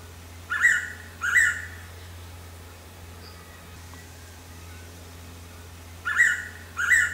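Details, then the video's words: Blue-winged pitta calling: a loud pair of clear whistled notes, a gap of about five seconds, then the same double whistle again, over a steady low background hum. "เสียงร้องนกแต้วแล้วธรรมดา (นกกอหลอ) Blue-winged Pitta"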